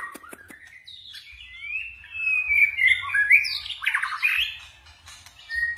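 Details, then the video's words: White-rumped shama in forest-style voice, a flowing warbled whistle rising and falling, then sharp sweeping notes and a clear closing whistle, over faint low hum. "chòe lửa hót giọng rừng ,đảo giọng cực phê"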